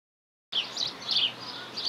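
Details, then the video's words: European greenfinch singing nonstop in the wild in New Zealand, giving three or four quick, high twittering bursts in under two seconds over a faint steady hiss. "Greenfinch Sing"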